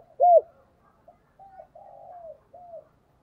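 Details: Spotted dove decoy cooing to attract wild doves. A loud, rounded first note, then a quieter, distant-sounding run of flat coos, a longer falling coo and a short arched final note.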